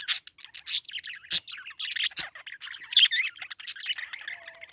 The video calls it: Parakeet Chirping Sound